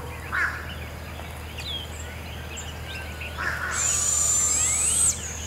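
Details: At Devil's Den Campground around 7am, two young Barred owls being fed by their mother keep screeching: one drawn-out, high, hissy screech with a rising finish near the end, after scattered calls from other birds in the waking forest.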